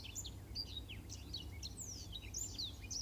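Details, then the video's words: Black-throated canary, recorded as training song for canaries, giving brief bright whistled slurs and chips at high pitch against steady hiss and low hum. "Suara Masteran Burung Blackthroat Untuk Kenari"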